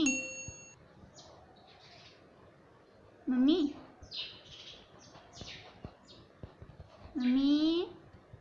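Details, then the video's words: Pet ring-necked parrot talking, said to say "mummy papa": two loud, harmonic, voice-like phrases about four seconds apart, with faint chirps and room noise between them. "मम्मी पापा बोलने वाला मिट्टू || ringnack parrot talking mithu"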